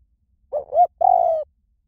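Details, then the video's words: Single phrase of spotted dove song, 'small voice' style, used as a lure to train doves to answer: two brief rising hoots followed by a drawn-out, gently descending coo, with no other sounds. "เสียงนกเขาใหญ่ เพื่อเปิดล่อ นกเขาใหญ่ฝึกต่อให้ขันตาม - เสียงเล็ก"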